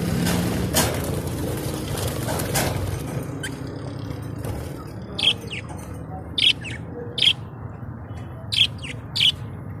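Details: Budgerigars in blue, green, red and yellow colours give short sharp chirps, spaced roughly a second apart in the second half, after a stretch of louder low rumbling background noise.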